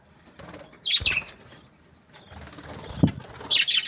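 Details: A happy budgerigar gives two brief bursts of high, scratchy warbling chirps about two and a half seconds apart, with wing flutters and soft thumps in between.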